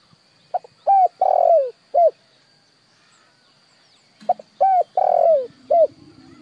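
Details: Spotted dove calling, a recording used to train decoy birds: two phrases of clear, mellow cooing, each a short coo, a longer drawn-out falling coo, then a short closing coo, separated by a pause of about two seconds; faint low hum near the end.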